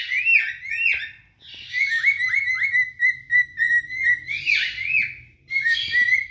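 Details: Two adult cinnamon cockatiels sing together to court and attract a mate, a run of rising and falling whistles around mid pitch. One holds a long wavering tone while the other adds harsher chirps.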